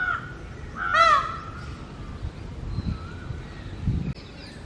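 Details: ['Male Indian peafowl perched on a house roof in mating season, calling to attract females: one loud, harsh, strongly harmonic wail about one second in, then fainter bird calls and low rumbling background.']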